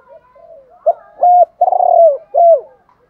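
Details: Decoy spotted dove cooing to stimulate and train other doves: faint soft notes lead into three loud, hollow coos, the middle one drawn out with a fluttering start and a downward slide.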